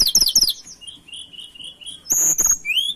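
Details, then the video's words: Lesser shortwing (tledekan) in breeding condition, searching for a rival, pours out quick high twittering phrases, then level whistled notes and a bright rising whistle at the close. "Pancingan Burung Tledekan Gacor Birahi Cari Lawan"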